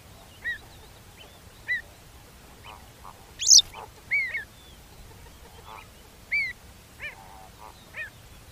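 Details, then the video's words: Field recording of the Avocet, a black and white wader: short clear fluty notes near the upper-middle pitch at irregular intervals, with one louder, harsher burst midway and faint background calls. "Avocet - Bird Song Identifier"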